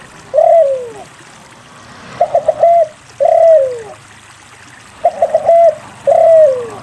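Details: Singing spotted dove, played to encourage silent doves to sing. The phrase repeats about every three seconds: a quick triple stutter of short notes, then a long coo that drops in pitch. Faint background hiss.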